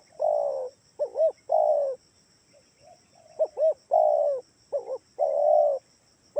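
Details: Spotted dove lure sound intended to get other doves calling: long level coos alternating with quick paired arching notes, several cycles over six seconds, plus a soft steady high-pitched hum.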